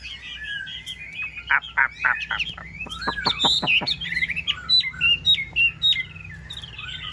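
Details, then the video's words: Chinese hwamei, yellow-billed and kept caged, sings a rapid run of steep descending strokes followed by high looping whistled phrases, over a low constant hum. "Họa mi mỏ vàng"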